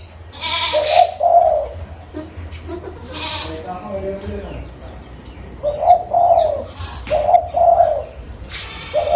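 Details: Lure zebra dove of local stock in Pidie, Aceh, Indonesia: several groups of soft, low, rolling coo notes, the first near the start and the rest repeating in the second half, with other noises heard between them.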